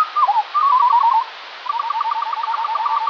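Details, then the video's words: Eurasian skylark recorded in the morning, possibly more than one bird, played at slowed speed: rapid trilled runs of short whistled notes, falling and repeating in quick series, fluttering and synthesizer-like. "Skylark - but slower"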